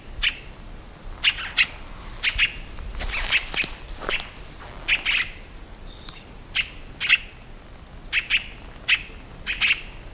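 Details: Scarlet-throated Tanager song of repeated sharp, ringing notes in pairs and singles, with a burst of harsher, noisier chatter partway through.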